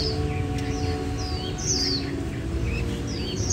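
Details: Caged warbling white-eye (vành khuyên), a male in its trilling "líu" phase, trained but with a slightly mixed song, sings quick thin high twittering bursts, its rapid trill praised as very fast and good, over a low hum and soft music.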